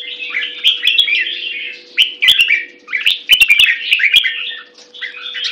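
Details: Red-whiskered bulbul singing short, bubbly whistled phrases in rapid runs separated by brief gaps, with sharp clicks and a faint steady hum in the background.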